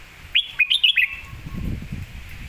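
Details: Red-whiskered bulbul singing a master phrase for teaching other birds: one bright, sharp burst of five rapid whistled notes lasting under a second, then low rustling.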